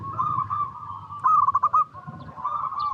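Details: Local zebra dove song used as a lure for other zebra doves; steady purring coo with a louder stuttering burst in the middle, over low rumbling background noise.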